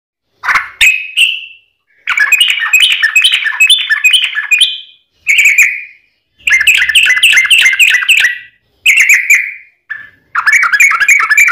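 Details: Kept sooty-headed bulbul (trucukan) singing actively in a long rapid run, used to prompt other kept birds to sing: bursts of fast, bright chattering notes in phrases of one to three seconds, separated by short pauses.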